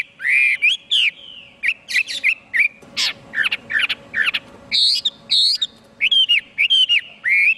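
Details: Energetic Chinese hwamei song of varied whistled phrases broken by quick, buzzy upward-sweeping notes and short harsh squawks, delivered in rapid, uneven bursts; low steady hum in the background.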